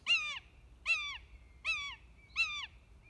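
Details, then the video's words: A common buzzard at hole 8 of a golf course in Amsterdam, Netherlands, gives four short, mewing, slightly downslurred calls, roughly one every three-quarters of a second, over a faint low rumble. "Mauwende Buizerd"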